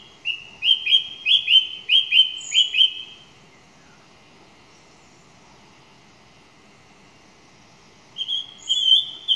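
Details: Single song thrush repeating a clipped whistled phrase some six times in a steady rhythm, a long silence, then a fresh repeated phrase starting near the end.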